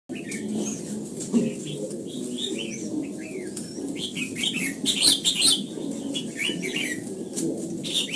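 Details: Red-whiskered bulbul singing a morning song during voice training in the old-forest double-note style: short bright whistled phrases, rising and falling, repeated through the clip over a steady low rumble with wing flutters.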